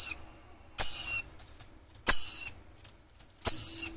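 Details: Red-collared lorikeet chicks give three harsh, hissing, rasping bursts, each under half a second, about every one and a half seconds, over faint low rustling.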